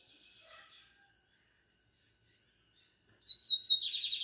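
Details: After near silence and a faint murmur of chirps, a lined seedeater gives its pardinho song: a thin whistle sliding down, then a loud quick buzzing trill.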